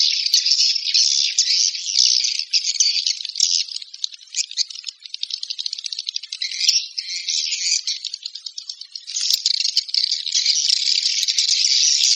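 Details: Swiftlet call: a dense, buzzy, rattling chatter of rapid high chirps that runs almost without a break, dipping briefly in the middle before resuming at full strength, with no other sounds.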